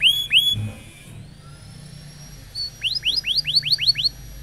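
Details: Canary roll song used to train young canaries: two rising whistled notes, a pause with a faint high tone, then a rapid series of about seven upward-sweeping chirps.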